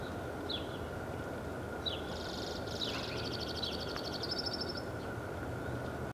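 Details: A White-winged crossbill sings in President Murray Park, Saskatoon, on 20 March 2019: a couple of sharp, down-slurred notes, then several seconds of dry, buzzy trills and rattles, over a steady hum and low rumble.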